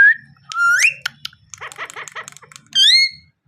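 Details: Parrot giving a level whistle, a rising whistle, a stretch of soft chattering clicks and pulses, then a loud rising-and-falling harmonic whistle at the end.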